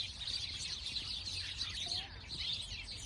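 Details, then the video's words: Many sparrows chirping together in a dense, steady chorus of short, high, overlapping tweets with no pauses. A faint low hum runs underneath. "Relaxing sparrow sound"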